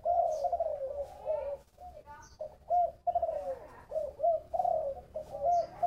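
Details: Spotted dove in Long An, Vietnam, singing in the 'thổ bầu' voice style: mellow, low cooing phrases of several linked notes, repeated in quick succession with short pauses, clear and close.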